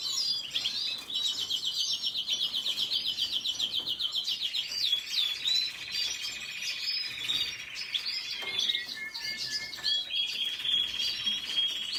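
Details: Red siskin song: a long sustained buzzy trill that drops to a lower steady rattle midway, then shifts back to a higher trill, mixed with twittering notes.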